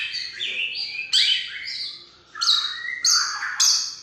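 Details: Long-tailed shrike in a varied, rapid song mixing slurred whistles, buzzy notes and sharp rising phrases, with loud bursts roughly every half second toward the end.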